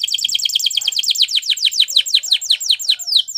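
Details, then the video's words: Spanish Timbrado canary, singing for canary training, delivers a continuous, very fast chain of bright descending notes, evenly pulsed and slightly slowing toward the close. "The Canary's Deadly Seduction Invites Your Canary To Sing Immediately"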